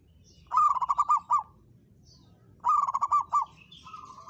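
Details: Local zebra dove, kept as a caged songbird, challenging a rival: two loud rolling coo phrases of rapid pulsed notes about two seconds apart, followed by a softer level coo.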